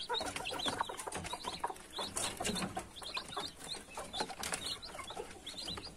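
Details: Young chicks peeping: many short, high chirps scattered irregularly over a busy background of rustling and scratching.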